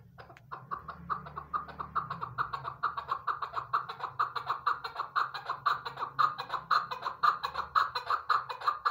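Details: A female chukar partridge, a hunter's calling bird, gives a long, steady series of harsh clucking notes, about two per second, rising slightly in strength through the series, with a low hum beneath.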